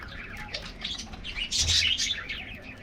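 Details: Colorful budgies in an aviary colony getting a morning diet treat; dense, overlapping high chirps and warbles from many birds, with one louder burst of chatter midway.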